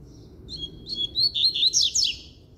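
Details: Double-collared seedeater delivering one loud, firm song phrase: quick high whistles that build into a tumbling series of descending buzzy slurs, over soft low background noise.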